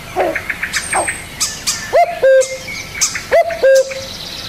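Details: Two clear coos from a spotted dove, each a brief rising note joined to a flat held note, after a stretch of scattered high chirps from other birds.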